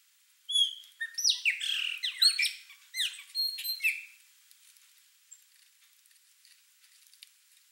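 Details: At a feeder, a flock of Chopi blackbirds gives a burst of squeaky whistles, rising and falling slurs and harsh chips lasting about three seconds, followed by near quiet with a few faint notes.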